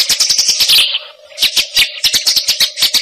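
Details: Fighting-type Eurasian tree sparrow song, described as fast and tight on a single note: rapid sharp chirps in quick bursts, a brief pause, then another run of dense chirping.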